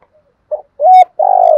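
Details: Spotted dove giving a fast kích bổi coo in the thổ or thúc gù style: a short hoot, then a firm steady coo and a long vibrating rolled note, recorded close and clear with no other sounds.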